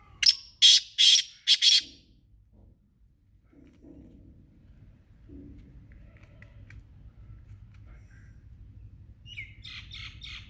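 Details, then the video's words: Black francolin, known locally as kala teetar, giving three loud, harsh, grating bursts in quick succession, then a quiet stretch with low background rumble and a shorter, fainter burst near the end. "Kala Teetar Ki Awaz | Kala Teetar Voice | Kala Teetar Sound"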